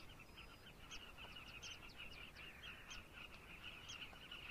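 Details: A colony of carmine bee-eaters in Zambia giving quick, rolling chirps that blend into a continuous busy chorus over low background noise.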